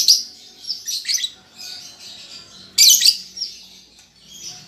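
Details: Young lovebird practising ngetik and ngekek: high scratchy twittering with brief chips early on, then one loud harsh burst of chatter before fading to a quieter buzz.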